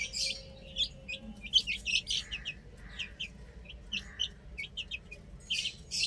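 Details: Young chickens on a roof keep up scattered high, piercing peeps in small bursts, with a few lower murmuring notes between them and a soft background drone.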